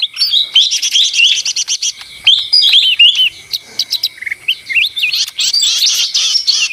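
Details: Busy song of a lesser green leafbird: rapid, varied high chirps and looping whistles delivered almost without break, with fast trilled bursts at the start and end.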